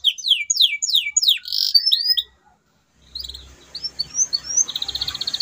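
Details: Canary song in gacor style, for stimulating silent canaries: rapid descending whistled notes, a brief pause, then softer chirps and a quick trill over faint background noise.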